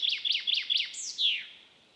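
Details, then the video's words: Common chaffinch, locally called metsavaht, singing its spring song, sung from early April to early July: four quick bright descending notes followed by two sweeping downward slurs, clear and loud against a quiet background. "Metsvint, rahvakeeli metsavaht. Linnulaul."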